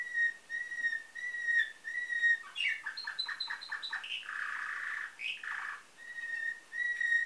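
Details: Canary in nightingale-type song, from a Bulgarian breeder in Varna, 2013: long, even whistled notes near one pitch, then a rapid run of clipped repeated syllables and a broad rolling trill, before the steady whistles return.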